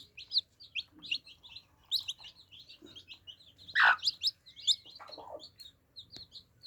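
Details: Baby chicks gathered at water give quick, piercing little peeps in uneven clusters, with one loud knock near the middle and a few soft clicks.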